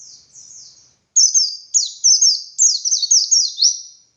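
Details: Lively ngalas-style song of a white-eye kept as a training model for other birds: a faint thin opening phrase, then loud, rapid, high-pitched twitters with quick falling slurs, delivered in tight clusters.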